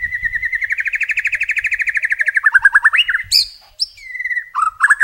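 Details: White-rumped shama, or murai, delivering a rich long-burst phrase: a steady pulsing trill that rises and quickens, then abrupt high piercing notes and a falling whistle, ending in short slurred calls.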